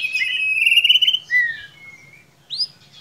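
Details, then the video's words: Lure song of a white-rumped shama meant to spur a young bird into song: a long bright whistle with a rapid pulsing quality, then softer falling slurs and a final upward whistle. "Solusi murai ngiriwik kurang gacor cukup dengarkan suara pancingan ini pasti nyangut"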